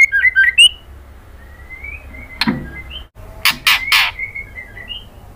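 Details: White-rumped shama female calling a male with kretekan: quick loud whistled notes open, then soft sliding whistles, one click and a burst of three harsh crackles, and trailing whistled notes.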